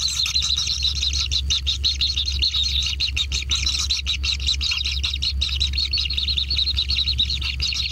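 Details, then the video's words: Kingfisher young being fed at a natural nest, a dense, scratchy, buzzing chorus with a faint whistled tone running through it, steady and insistent, over low background hum. "Anak Tengkek Diberi Makanan Semakin ExTrim - Natural Kingfisher Bird Nest"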